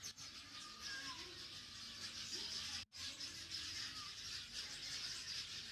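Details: A flock of sparrows in a home yard planted with dense, shady trees chirps in a dense, continuous chatter of high, overlapping cheeps, with a brief gap near the middle.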